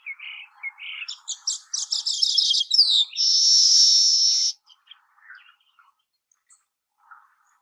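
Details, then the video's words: Song of a baya weaver: short chirps build into a rapid stuttering chatter. It ends in a loud, sustained, buzzy wheeze of more than a second, then a few faint scattered chips. "Baya weaver bird singing"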